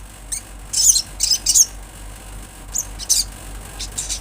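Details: Olive-backed sunbird, natural recording: short clusters of high, sharp, scratchy notes, three close together, then two more after a short pause.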